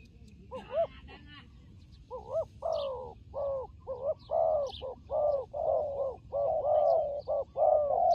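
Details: Turtle dove in a fighting context, a few faint arched notes and a burst of higher sound at first, then a building series of low arched coos about once a second, louder toward the end, with faint chirps.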